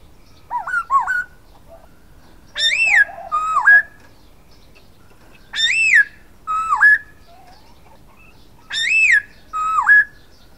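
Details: Silver-eared laughingthrush singing a repeated phrase of loud arched whistles and dipping slurs, about three times in ten seconds, opening with looping wavy notes and a low buzzy note between phrases.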